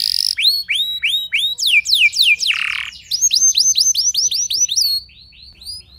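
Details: Canary song for provoking other canaries: quick falling whistles, a harsh rasping burst, then a rapid run of high repeated notes fading into softer chirps.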